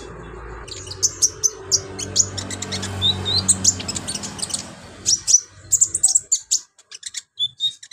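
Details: Olive-backed sunbird (konin) in full lively song for tutoring other birds: dense bursts of very high, sharp chirps and ticks, brief thin whistles, then a clearer stretch of staccato high notes.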